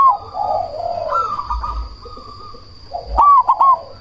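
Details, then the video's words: Cemani zebra dove, loud-voiced lure to make rival doves answer and boost breeding drive; a mellow descending coo and long soft held note, then sharp clicks and a rolled cooing phrase near the end, with a constant high whine. "Perkutut cemani gacor suara BESAR pancingan ampuh bikin lawan langsung nyaut"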